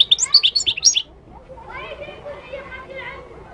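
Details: Moroccan goldfinch giving a loud second of fast, liquid twittering, followed by quieter, lower murmuring sounds in the background.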